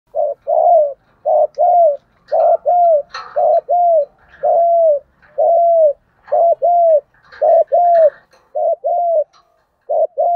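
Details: Spotted dove decoy voice in the 'giọng đồng' style, giving a continuous fighting coo used to lure and provoke wild doves. Short, mid-pitched, slightly arched coos come in quick doubles and triples, about one per second, with faint higher chirps behind.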